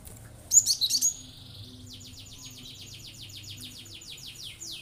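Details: Cinereous tit singing hard to goad other birds into song: a loud burst of sharp, high chirps followed by a long, steady series of quick, thin downslurred notes, about five a second.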